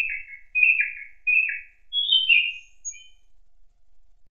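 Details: Thrush singing in an autumn forest: three repeated descending whistled phrases, then a higher rising-and-falling phrase and a few faint thin notes, in a quiet background.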